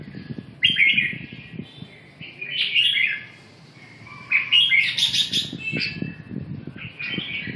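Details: Red-whiskered bulbul singing: bursts of warbled, slurred whistled phrases around mid-high pitch, separated by short pauses, with a faint low rumbling in the background.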